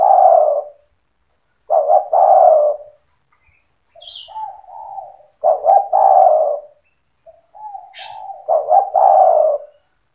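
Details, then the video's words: Spotted dove in full 'cetretan' song, meant to provoke rival doves into singing: loud stuttered coo phrases alternating with softer lower coos, plus a brief high chirp and a sharp high note near the end. "Suara burung tekukur gacor cetretan bikin deruk tekukur derkuku balam lain emosi ikut bunyi"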